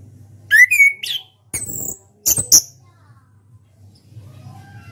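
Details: National champion orange-headed thrush singing in ngeplong style: a quick rising whistled phrase, then harsh clicking and scratchy broadband bursts, ending in near silence with soft background hum.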